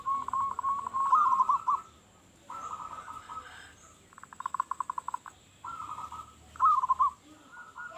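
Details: Local zebra dove singing strongly, its song used to attract other doves: softer pulsed, rolling coos of about a second each, with a burst of rapid clicking notes between phrases, over a steady background hiss.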